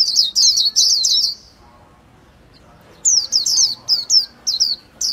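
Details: Japanese white-eye gives a dense twittering phrase, falls silent for over a second, then resumes with spaced, high slurred chirps.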